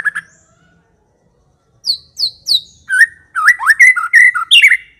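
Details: White-rumped shama singing loud and clear as a lure for other shamas: a brief note, silence, three high downslurred whistles, then a lively burst of varied twisting whistles and sharp chips.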